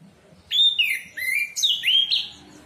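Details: Orange-headed thrush, a caged bird kept for song, giving a short phrase of clear whistled notes, sliding and stepping between mid and high pitch, over a quiet background.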